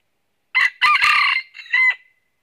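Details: Red-eared red junglefowl decoy from a trapping session in northern Vietnam, crowing often after meeting a wild bird: a loud crow in three harsh, ragged segments lasting about one and a half seconds, otherwise quiet.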